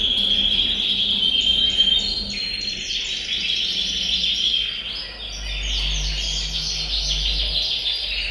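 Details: Many caged canaries singing together in a bird room, chorus meant to stimulate males to sing and prepare females for breeding; dense overlapping high trills and rolling chirps run continuously, with a steady low hum beneath.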